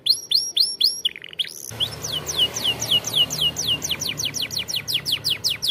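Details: Training song for young canaries: a canary opens with rising-falling whistled loops, then a sustained tone, then a long run of quick downward-slurred notes repeated about four times per second.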